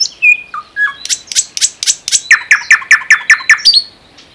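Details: Common nightingale singing in the Unzha river floodplain and Kologrivsky Forest reserve: a few pure whistles sliding down in pitch, then a fast series of about twelve loud, evenly spaced repeated notes, clear and close with a quiet background.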